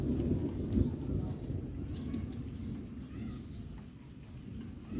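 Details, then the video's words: A rain-soaked female yellow-bellied sunbird drying herself calls three rapid, sharp, high-pitched chips in one tight burst; a steady low background of wet-weather noise lies beneath. "sunbird calling"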